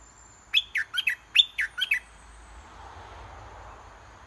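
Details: Caged red-whiskered bulbul used as a decoy, singing steadily to lure a wild bird down to fight. There is one short loud phrase of six bright, whistled notes, each sliding down, delivered within about one and a half seconds. Faint hiss follows.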